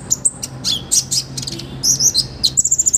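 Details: Olive-backed sunbird in energetic full song with a rich repertoire of fill-in phrases, meant as a master recording to train other birds: sharp, very high chirps and short sweeping notes ending in a fast, even run of ticking notes.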